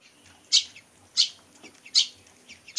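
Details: A long-tailed shrike, a skilled mimic of other birds' songs, gives short, harsh, high chirps about every 0.7 seconds, with faint softer notes between them.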